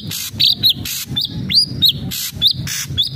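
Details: Ashy drongo in full vigorous song, played to coax a captive bird into singing: clear high arched whistles, one long swooping note, broken by loud harsh hissing bursts over a low background rumble.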